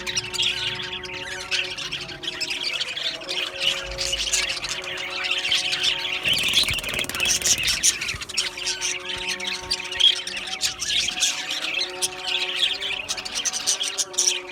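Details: Australian budgies in an aviary colony, a dense continuous chatter of high chirps, warbles and squeaky notes from many birds at once, with steady low humming tones sustained underneath.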